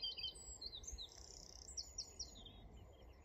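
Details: A Woodlark (Lullula arborea) sings in the Suffolk Brecks on 23 June 2022: high, liquid, slurred notes, then a quick run of repeated fluty notes, over a low rumble of wind.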